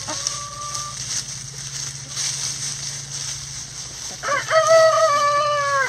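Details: A chicken in a backyard coop, its flock scratching apart a leaf pile, lets out a loud, rich, harmonic, drawn-out call after quieter moments with a short steady tone, over leaf rustle and a low hum.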